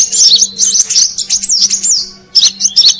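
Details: Brown-throated sunbird lure call for attracting wild birds: quick sliding high whistles and chirps, a fading gap, then a few more sharp notes, over a constant low hum.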